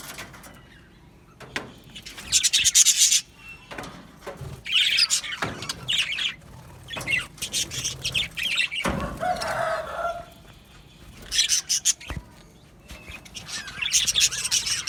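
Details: Budgie colony in an aviary giving bursts of shrill chirps and harsh squawks, separated by quieter gaps, with a lower squawky note near the middle.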